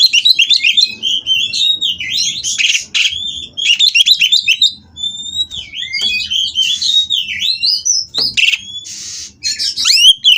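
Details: Oriental magpie-robin (kacer) from a Kroya breeding aviary, singing during mating to stir rivals into song: long varied run of loud whistled slurs, rising and falling notes and scratchy bursts, with brief hissy noise patches between phrases.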